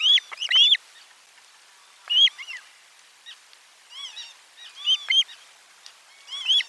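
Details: Osprey at nest 4 on 12 July 2022, at lunchtime fish delivery, filmed by a nest camera: loud, high, arched whistled chirps in quick bursts of three or four, with quieter echoing notes between, over a silent background.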